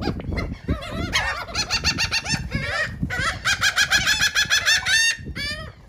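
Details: Seagulls feeding on cake in Atlantic City, New Jersey, with loud overlapping harsh calls breaking into a long rhythmic series of rapid repeated laughing notes, about three per second, then falling squeals.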